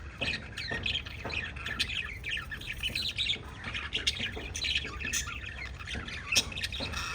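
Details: Budgerigars kept as pets give a run of short, bright chirps and squeaky notes, several each second, over a constant low background hum.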